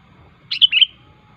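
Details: One short fluty phrase from a sooty-headed bulbul recorded in nature, a bubbly run of a few quick notes dropping slightly in pitch. The phrase is a vigorous song meant to call rivals.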